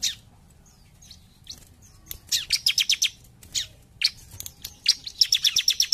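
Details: A bar-winged prinia sings "gacor jump shoot": scattered sharp notes build into rapid strings of high, evenly spaced chirps, around three per second, broken by a few single louder calls.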